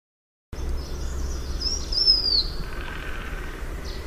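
Blue-winged minla giving a thin, high whistled call that slurs downward, with a few fainter high notes over low rumbling background noise.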